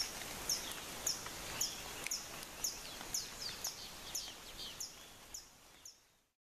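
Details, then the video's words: Around the Arenal Lake area of Costa Rica, a black-headed tody-flycatcher gives a steady run of high, sharp, thin chips, roughly two per second, against a hissing background before the recording fades out. "Black-headed Tody-Flycatcher"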